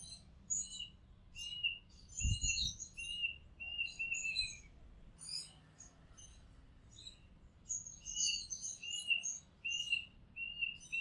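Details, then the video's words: Oriental magpie-robin singing, recorded from a house rooftop: busy run of clear whistled notes with sharper high chirps layered above, sustained across the stretch, plus a brief low thump near the start and faint background hum. "Oriental Magpie Robin Sound Long play | เสียงร้องนกกางเขนบ้าน"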